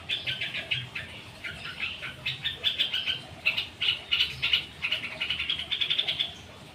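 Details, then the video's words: Long-tailed shrike in lively 'rol dot' song triggered by other birds' calls: dense, rapid buzzy chirps that pulse continuously, rising and falling in loudness. "cendet/pentet gacor rol dot pancingan burung lain nyaut"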